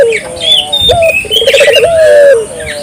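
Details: Barbary dove cooing strongly to draw replies from local doves: a falling low note, a brief higher hoot, then a rapid rolling burr flowing into a sustained descending coo, beneath scattered twittering birds.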